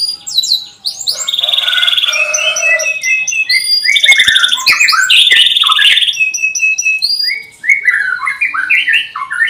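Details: Canary in full, varied song, played as a lure to teach young birds to sing: loud rolling trills, buzzy rattles and high downslurred whistled notes tumbling one after another without pause.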